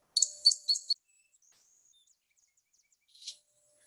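A Song Sparrow gives a quick burst of high, bright, jumbled notes lasting under a second, then pauses before a short buzzy note.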